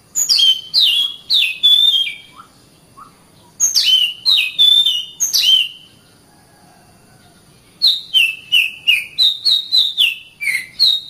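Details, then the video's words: Oriental magpie-robin singing for training caged birds, best used in morning or evening: bursts of loud, sliding whistled notes in rapid series, separated by short pauses, with a few soft lower chirps between phrases. "SUARA BURUNG - Masteran Terbaik Kacer"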